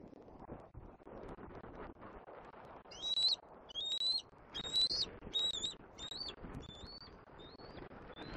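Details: Squeeing juvenile bald eagle begging from its mother near a Southwest Florida nest, April 10 2024. After three quiet seconds, thin, high, slightly rising whistles repeat roughly every half second, over steady low background noise.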